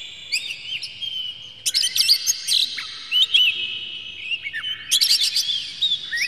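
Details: Oriental magpie-robin song used as a lure to provoke birds into singing with open tails; long sustained whistles under bursts of crisp, rapid chips and curling slurred notes, loud phrases returning every second or two.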